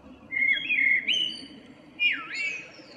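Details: Local common blackbird in morning song, 2 April 2013, giving smooth low whistled notes that rise and fall, then a dipping swoop into a sustained fluty phrase with faint high overtones.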